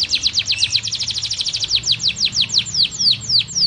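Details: Tutoring recording of canary Blackthroat roll: a rapid run of high downslurred notes that gradually slows into evenly spaced, clear descending whistles, faint low hum beneath.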